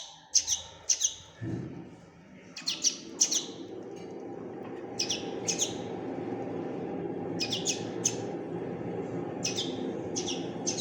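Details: Fledgling common linnet giving pairs of thin, high chirps every couple of seconds while a steady low rumbling noise fills the background after the first calls.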